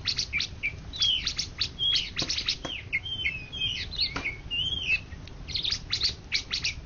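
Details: Greater green leafbird, 2013–2014 champion of all Indonesia, sings sliding whistles and warbled slurs woven with crisp clicking chirps in an unbroken, energetic stream.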